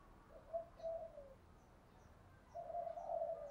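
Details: Female spotted dove decoy calling to arouse males, heard faintly at a distance: two soft low coo phrases with a falling tail, behind steady hiss, with small high chirps from other birds scattered throughout.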